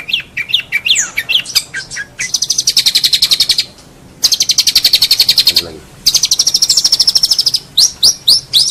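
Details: Songbird-tutoring master of a long-tailed shrike: varied whistles and chips, then three long bursts of rapid, even, high trilling separated by short silences, ending in sharp chips.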